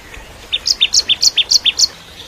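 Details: Ciblek kristal, the bar-winged prinia, singing as master song for juvenile white-rumped shamas: a brisk run of about ten high notes alternating between two pitches, a lower and a higher chip, rapid and regular over just over a second.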